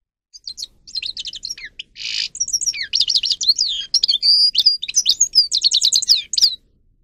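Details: A Grey-crowned goldfinch (Carduelis caniceps) sings continuously for training caged birds: quick liquid twitters mixed with a short buzzy rasp, sweeping whistled notes and rapid trills, ending cleanly after about six seconds.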